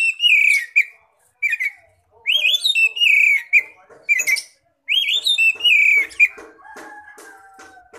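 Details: Oriental magpie-robin singing in the ngeplong style, used as a lure to call other magpie-robins: loud, clear whistled phrases that slur downward with rich overtones, given in bursts with short pauses, then a fainter scratchy tail.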